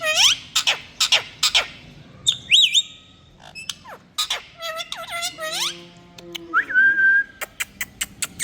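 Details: Rose-ringed parakeet, called Indian tota. Harsh, harmonic screeches and squawks with rising and falling whistled notes come in irregular bursts. A long, steady whistled tone follows near the end, then short clicks.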